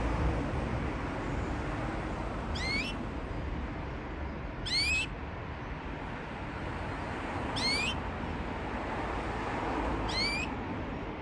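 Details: A pair of Parisian Frill canaries gives single high, sharply rising upswept call notes every two to three seconds over steady broadband hiss.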